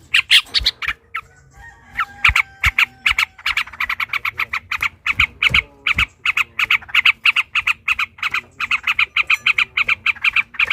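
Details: Combative yellow-vented bulbul pouring out a long ropel panjang song used to trigger rivals: a nearly continuous stream of fast, rasping chattering notes, a faint thin whistle in the background early on.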